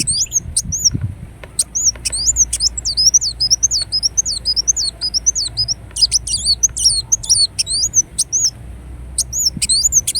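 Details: High, sibilant song of a ruby-cheeked sunbird, the kolibri wulung of Indonesia: a near-continuous stream of quick up-and-down squeaky sweeps and chips, strung together in lively twittering phrases throughout.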